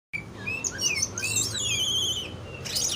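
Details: Greater green leafbird (cucak ijo), kept bird, singing varied whistled phrases: sliding notes around mid-high pitch, dense high chattering overlaid in the middle, ending with a sharp high burst.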